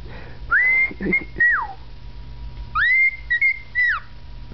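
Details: Pet male cockatiel indoors whistling a learned tune: clear rising then sustained whistled notes with a falling slide, a pause, then a second phrase of rising, level and dropping whistles; quiet room hum behind.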